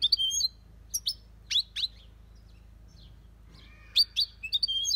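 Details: European goldfinch in an aviary, singing in the copia Malaga style: scattered sharp high chirps and quick downslurred notes separated by gaps, closing with a fresh cluster of bright twitters.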